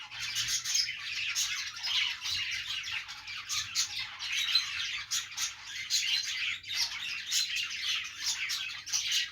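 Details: Pet budgies playing together: a dense, continuous chorus of many overlapping high chirps, squawks and warbled twitters, with no pauses and steady loudness throughout.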